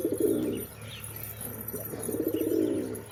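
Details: Two loud, rumbling pigeon coos, one at the start and one after two seconds, each a throaty rolling phrase lasting about half a second or more.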